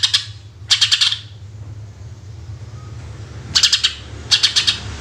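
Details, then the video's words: Greater green leafbird singing 'tembakan' bursts for use as a lure: four short volleys of harsh rapid high notes, two near the start and two near the end, with a quiet gap between them and a low hum throughout. "Cucak Ijo Gacor Full Tembakan Suara Asli Jernih"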